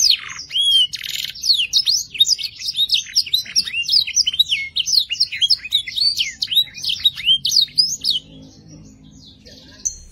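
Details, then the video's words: Canary song used to prompt young canaries to sing quickly: a lively run of high, looping whistled notes and trills, fading out into near quiet over the last two seconds. "RANGSANG BIRAHI DAN ISI VARIASI LAGU KENARI PAUD CEPAT GACOR ISIAN MEWAH"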